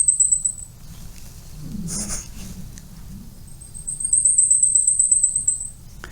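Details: Very thin, high song of a Blackpoll Warbler, a species common in spring migration but rare in fall since it crosses the Atlantic: a brief rapid series ends, a dull thump follows, then another two-second string of fast sibilant notes rises and fades.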